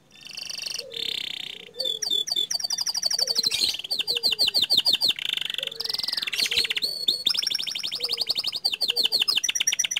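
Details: Panda canary singing actively, with the rolling 'ngerol' style and long 'nembak' phrases: rapid high trills, buzzy rolls and repeated whistled notes that change pitch every second or so, continuous across the recording.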